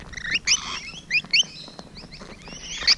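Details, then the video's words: Rainbow Lorikeets at close quarters, June 2017 morning: scattered shrill squeaks and rising whistled chirps, fewer birds calling, sounds spaced by brief pauses. "Rainbow Lorikeet Close Encounters"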